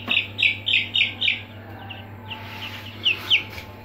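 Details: Aseel chicks kept in a brooder, peeping loudly: a run of five sharp high chirps in quick succession, then quieter scattered peeps and two more clear chirps near the end, over a steady low hum.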